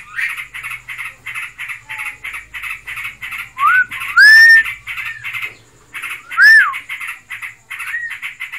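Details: A pet Yellow-vented Bulbul (trocokan) in breeding condition churns out rapid buzzy notes while loud clear upslurred whistles cut in twice, followed by softer slurred whistles.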